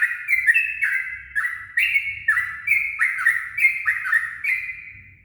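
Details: Yellow-vented bulbul singing at dawn, used as a lure: bubbly, slurred notes that drop and rise, given in quick overlapping phrases roughly once a second, with a faint low rumble beneath.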